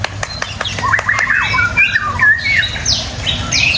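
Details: Caged white-rumped shama delivering rapid slurred whistles and harsh chattering notes, rising and falling sweeps in quick succession, with faint clicks and a low background hum.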